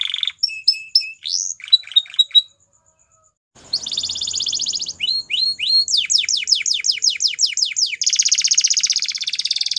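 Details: Belgian canary song for coaxing a canary to resume singing: short flat whistles in groups, a silent gap, a buzzy roll, fast falling sweeps and a closing rapid trill.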